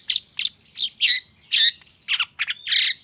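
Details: Long-tailed shrike recorded as a morning lure to provoke song: thick, grating scolding notes in close bursts, broken by a thin whistle and a squeak.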